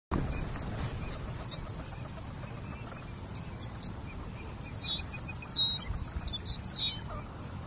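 Blue-winged teal giving thin, high whistled peeps in short scattered bursts over steady low wind rumble.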